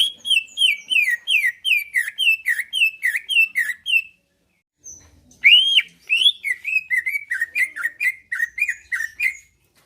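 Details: Kept greater green leafbird in full chatty song, said to provoke other leafbirds into answering and fighting: a steady train of ringing, downslurred whistles for four seconds, a short gap, then a second long run of rapid sharp notes.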